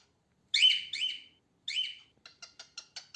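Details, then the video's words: A female cockatiel sings, a bird that rarely whistles. Three drawn-out, grating squawks with a ringing tone are followed by a quick run of six short, soft chirps about a sixth of a second apart. "Female Cockatiel Sounds and Singings, Female Cockatiel Noises"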